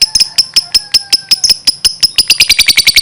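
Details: Lovebird in lively song: sharp, clicking chirps that start at about three per second, then speed up and turn louder and harsher in the final second.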